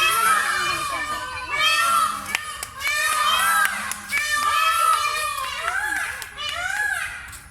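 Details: Peacock calling at the national zoo in Mirpur section 1, Bangladesh: loud, nasal wailing cries rich in overtones, repeated about every one and a half seconds, with sharp clicks between calls.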